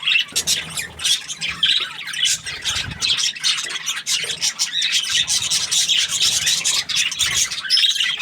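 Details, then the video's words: Budgie chirping happily: rapid, scratchy high twitters and short squawks pouring out continuously, rising and falling in loudness. "Happy Budgie chirping sounds"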